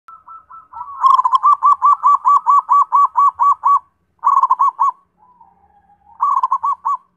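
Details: Zebra dove cooing: a soft opening note, then a long fast run of rhythmic, bubbling coo pulses, repeated in three bursts with brief pauses between them.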